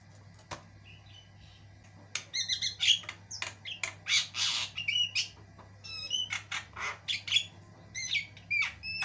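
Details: White-eyed Javan myna in full long song for training other birds: after a quiet start, a dense run of grating squawks, buzzy notes and short rising whistles, fairly continuous, over a low background hum.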